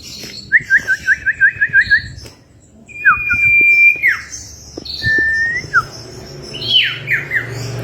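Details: Common Iora (cipoh), a female calling to a male: a quick run of about eight short downslurred whistled notes, then one long level whistle, followed by scattered slurred whistles and a rising-then-falling note over a faint low hum.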